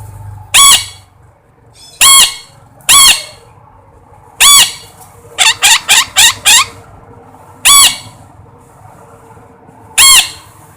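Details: Single harsh parrot squawks spaced a second or more apart, interrupted midway by a fast run of five clipped calls, over a steady low background hum.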